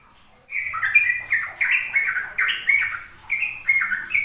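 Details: Sooty-headed bulbul in fast 'ropel' song for teaching young birds. After a half-second of quiet, loud, liquid whistled notes tumble rapidly up and down in tight repeated phrases.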